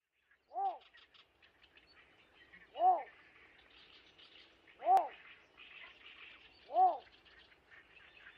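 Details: Von Schrenck's bittern, a summer visitor breeding in Korea and Japan, found in flooded rice paddies and riversides. It gives a mid-pitched, hollow, arched note repeated about every two seconds, four times, over soft, busy high chatter.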